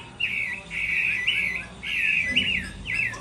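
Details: Chinese hwamei during a moult-season singing contest, giving harsh, buzzy, drawn-out rasping notes in several separate bursts, with a faint low hum in the background.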